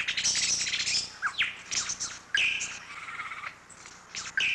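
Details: A male lyrebird gives its mating call, a varied medley of loud whistles, sweeping notes and chattering bursts that switch every second or so. It is a mimic that imitates other birds and even chainsaws.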